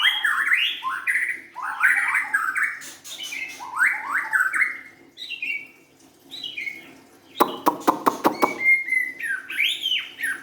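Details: White-rumped shama, a young forest-caught bird, delivering repeated rich warbling phrases of rising slurs, a short gap, a fast burst of dry clicks, then high whistled notes to close.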